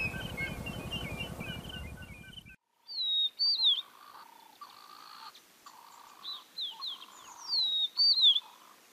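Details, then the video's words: Speckled mousebird in open savannah in eastern Kruger National Park, South Africa, in October, gives thin, high whistles that slide downward in short bursts over a lower droning tone; the first seconds are masked by rumbling noise. "Speckled Mousebird"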